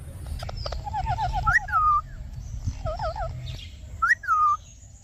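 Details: Pet parrot gives clear whistled calls: a run of short wavering notes, then loud rising-and-falling whistles repeated twice, over low background rumble and a few clicks.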